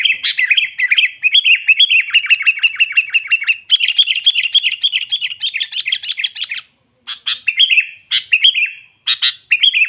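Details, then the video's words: Natural recording of a sooty-headed bulbul used to lure and provoke wild birds: long rolling stream of quick warbled notes, growing busier and harsher midway, then shorter separated bubbly phrases after a brief pause. "suara burung kutilang gacor memanggil kutilang liar suara asli alami"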